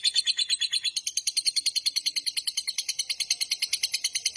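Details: Lovebird in a long 'ngekek panjang' trill meant to lure and train other lovebirds: an unbroken run of shrill, raspy chirps, evenly pulsed several per second, loud and steady for the whole stretch.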